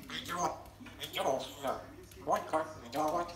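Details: A female pet grey parrot indoors, which has learned to knock a pillow off a cupboard, talks in a human-like voice, with four or five quick word-like bursts over about three seconds in a quiet room.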